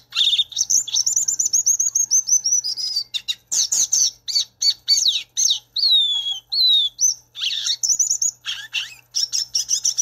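Violaceous Euphonia singing a rapid, varied jumble of bright chirps, sweet whistles and buzzy notes, often mimicking other birds; no other sounds intrude.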